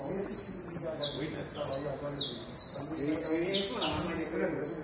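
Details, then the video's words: Canario da terra, the saffron finch, in a busy stream of high chirping notes that slide downward, repeated about three times a second, over faint low background sound. "Canario da terra"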